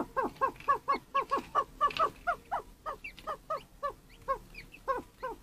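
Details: A Chukar partridge in breeding season gives a rapid run of harsh, clucking chuck notes, about four a second, with fainter higher chirps behind.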